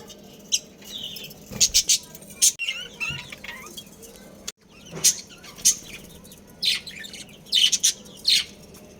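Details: Budgerigars in a breeding colony: scattered sharp chirps and short squawks, some in quick pairs, with a soft twittering stretch in between and brief quiet gaps.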